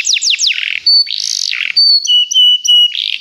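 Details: Begie canary song for training: quick descending whistled notes, a harsh buzzy burst, then long steady high whistles broken by short clipped notes.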